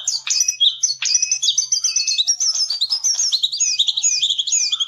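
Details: A jongkangan, the Javan cochoa, sings fast chattering phrases of high looping whistles and trills without pause, recorded as a master song for training songbirds.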